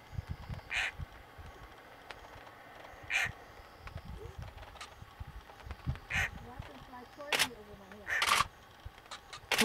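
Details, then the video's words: Wild lilac-breasted roller in Masai Mara, Kenya, September 2016, calling to its mate: rough, grating squawks every one to two seconds, with sharper louder rasps near the end and quiet human voices murmuring underneath. "Lilac Roller with sound"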